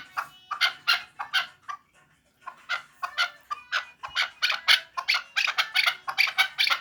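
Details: Chukar partridge of Vanj clucking in bursts: a few spaced chuk notes, a brief pause, then a quickening, brighter series of repeated calls.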